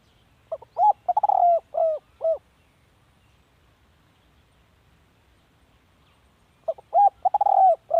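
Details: Spotted dove heard in a recording meant for decoy luring, giving two bursts of mellow, hollow coos near mid-pitch, each a quick run of short notes ending in a longer drawn coo, separated by several seconds of quiet.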